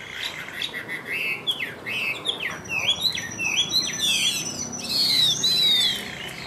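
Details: Chinese hwamei of the Tam Hoàng type, kept caged, giving bouncy slurred whistled notes that build into long, high sweeping whistles at the close.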